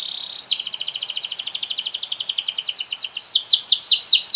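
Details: Canary giving long song intended to make other canaries sing: a steady buzzy note, then a rapid, evenly pulsed double-toned trill gradually slowing into separate downward-sweeping whistles.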